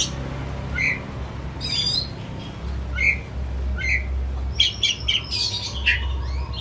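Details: Oriental magpie-robin kept in a cage at home, recorded as a lure to prompt another to sing: separated short whistles and a descending sweep, ending in a rapid jumble of sharp high notes, with low hum beneath.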